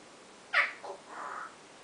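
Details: African grey parrot kept as a pet, vocalizing in the early morning, rehearsing its new "owww" sound: a sharp harsh onset drops to a lower note, then a drawn-out nasal wail, all within about one second.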